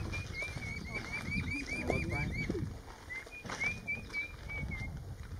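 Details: Red-billed scythebill by the Transpantaneira, Pantanal, Mato Grosso, Brazil, 23 August 2016, gives a quick run of high, clear whistled notes, about four per second, then a shorter series; people talk quietly beneath and insects hum steadily.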